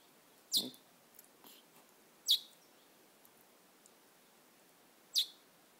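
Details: Little wild bird perched on a person's shoulder, chirping: three short, high, sharp chirps spaced about two and three seconds apart in a quiet setting.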